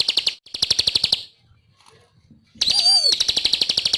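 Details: Bar-winged prinia (ciblek) singing vigorously: two short bursts of rapid, high chipping notes, a quiet gap of over a second, then an upslurred whistle leading into another fast series.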